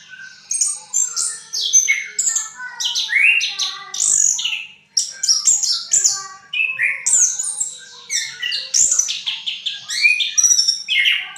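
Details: Orange-headed thrush singing in the ngriwik style, a vigorous, varied run of whistled and chattering phrases with rapid buzzy notes and sharp rising and falling slurs, delivered almost without pause; no other sounds stand out.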